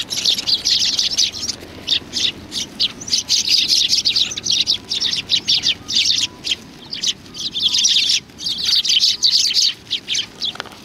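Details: Sparrows crowding in to be fed at a Tenmangū shrine, 25 November 2020, in a loud, continuous chorus of high twittering chirps broken by brief gaps every second or two.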